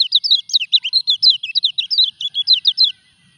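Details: A common iora going through its moult sings a dense, rhythmic series of high chirping notes, around twenty quick twisting figures in three seconds, ending cleanly.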